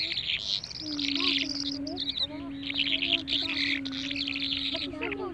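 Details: Birds in a dense chorus of high, rapid chirps and twitters, nearly continuous and overlapping, over a long steady low hum and faint lower sliding notes.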